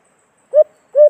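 White-eared brown dove giving two soft, low hoots about half a second apart, each slightly rising then level, in otherwise quiet surroundings.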